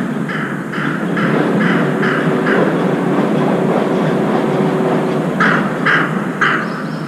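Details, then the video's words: A crow flying in to a window-side feeding spot gives a run of harsh, hoarse caws about twice a second, pauses, then caws three more times over a steady low rumble of traffic; it later eats a dead rat. "까마귀 쥐 잡아먹음 날아오며 까옥까옥 울음소리"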